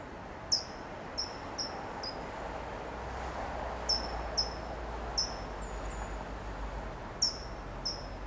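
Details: A California towhee on a low perch in Del Monte Forest, California, gives about a dozen sharp, high, metallic tsip calls in loose irregular pairs and runs, over a steady low background rumble.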